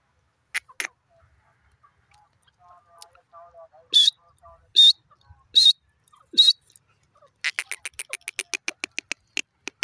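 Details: Francolin calling, harsh loud notes delivered in separate bursts around the middle, followed by a rapid run of sharp clicking notes near the end; a faint low murmur sits in between.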